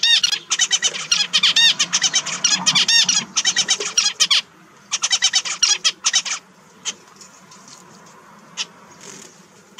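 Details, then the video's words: Kept zebra finch, one of four finches, sings loud rapid runs of buzzy, harmonic, nasal notes for about six seconds, then falls quiet with a few isolated chirps. "Zebra Finch Songs"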